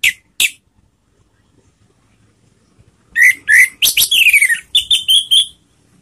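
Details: Lure calls of an orange-headed thrush used to trigger singing: two brief sharp notes, a pause, then a fast chattering sequence mixing rasping bursts and short whistled slurs, falling and level.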